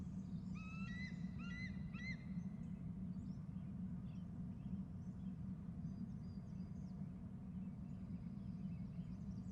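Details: An eagle flying past from left to right, calling with food sounds: a quick run of thin, rising, piping notes in several short bursts, over a steady low rumble of wind or distant traffic.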